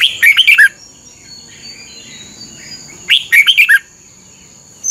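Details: Training song of a caged red-whiskered bulbul: two phrases of fast, bubbly whistled notes about three seconds apart, with soft distant chirps between and a continuous high-pitched tone.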